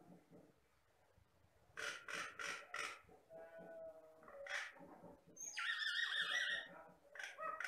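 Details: Batam myna, a mimic able to copy any sound including human voices, a lowland bird of rice fields and plantations in the Riau Islands, singing: quiet murmuring, then loud harsh bursts, a low warble and high scratchy whistled phrases.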